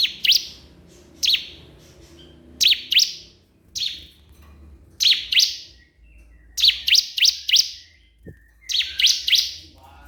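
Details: Crystal prinia calling a rival with repeated doubled chirps, later quickening into runs of three or four high, buzzy sweeping notes; soft background noise throughout.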